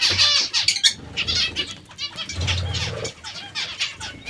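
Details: Zebra finches at a vegetable meal give rapid, harmonic, nasal beeps, loudest at the start, with a burst of wing flapping in the middle.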